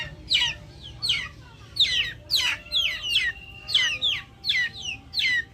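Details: Backyard chickens give clear, high, downward-sliding peeps about once a second, sometimes doubled. A faint steady tone runs under the calls.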